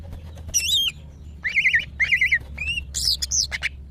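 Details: Female greater green leafbird calling to males during breeding condition: loud wavering, warbled whistles in separate bursts about half a second long, with a steady low hum underneath.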